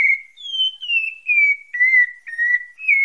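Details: Pale-breasted thrush labelled Bahia Santa Fé, singing a string of clear whistled notes. Each note slides gently downward, and new notes begin about every half second over a silent background.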